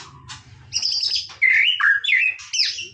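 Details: White-rumped shama in playful song: after a soft whistle, loud high phrases of rising and falling whistles with bright chirps, rich and varied.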